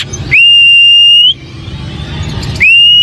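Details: White-rumped shama giving long pure steady whistles, each held about a second at one even high pitch with a slight upturn at the end, separated by a pause, with low background hum.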